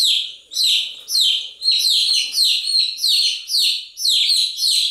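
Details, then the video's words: Chicks chirping on and on, giving sharp high peeps that drop in pitch, roughly two per second in a steady pulsing chorus. "Continuous Chirping sound of Chicks"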